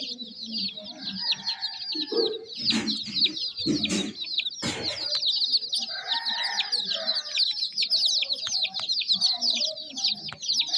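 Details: Young chickens chirping in a busy flock, an unbroken stream of high, downslurred peeps, with a few loud knocks or handling noises early on.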